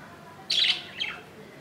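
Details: Day-old budgerigar nestling, hatched on 15 July 2018: a single high, scratchy squeak, then a fainter, falling echo-like note a moment later.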